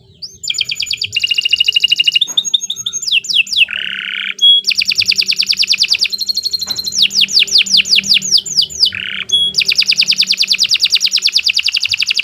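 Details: Continuous canary song meant as a tutor for young birds: fast rolling trills, lower buzzy notes, and runs of repeated descending whistles with hardly a pause over twelve seconds.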